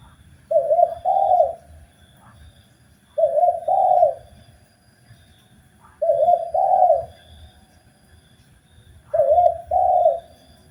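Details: Indonesian spotted dove, or tekukur, singing on a training recording for kept birds. Four low double-coo phrases, each a short coo then a longer rolling one, repeated about every three seconds, with faint background hum.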